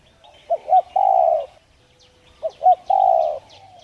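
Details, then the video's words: Two phrases of spotted dove cooing for rousing other doves: each a pair of short rising notes followed by one long even coo, with faint chirping of small birds. "Chim cu gáy Thúc kích bổi nhanh gáy/kích bổi nhanh nổi hiệu quả"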